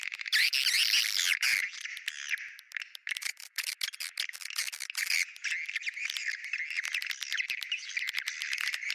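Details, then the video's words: Swiftlet lure sound called bintang utara, said to be liked by swiftlets: dense, fast buzzy twittering chirps repeated about three times per second with rattling trills and no other clear sounds. "Sp yg d sukai burung walet.sp bintang utara"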